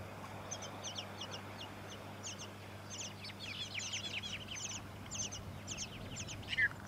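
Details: Tawny-crowned honeyeater recorded in September 2017 in Victoria, Australia. Crowded chatter of short, high falling notes that thickens midway, with a faint low hum underneath.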